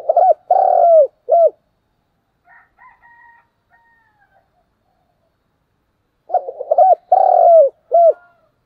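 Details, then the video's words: Spotted dove giving its fighting coo: two bursts of low hoarse cooing phrases, each a short stutter, a long drawn coo, and a clipped final note. A fainter distant coo is heard in the quiet gap between them. "cu gáy thúc đấu & cu gáy thúc gù"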